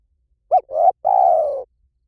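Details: Spotted dove cooing for decoy luring: a quick rounded note, a swelling coo, then a long, steady, gradually falling coo, low-pitched and mellow, with no other sounds.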